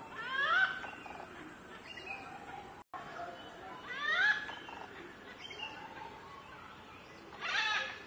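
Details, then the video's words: Malabar grey hornbill, possibly calling its mate, gives three loud, harsh, cackling bursts of quick rising notes spaced three to four seconds apart over a steady background hiss. "Malabar Grey Hornbill Call-horn bill sound"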